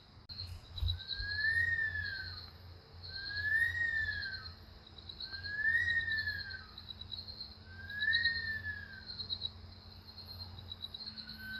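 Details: Bush Stone-curlew in Australia at night gives eerie, wailing screams that rise then fall, repeated about every two seconds over a steady high chorus of night insects.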